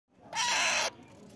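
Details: A pet Alexandrine parakeet gives one loud, harsh, raspy, broad screech lasting about half a second over a quiet background.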